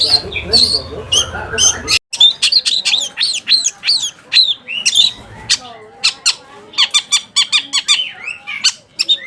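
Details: Long-tailed shrike song used to goad other shrikes into calling: after a rough, noisy start, a fast series of sharp, clipped chips and squeaky notes, rapid and uneven.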